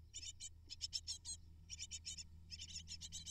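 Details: Hungry brood of eight great tit nestlings begging for food from their parents: clusters of sharp, high-pitched chittering notes in quick bursts, separated by brief gaps, over a faint low background hum.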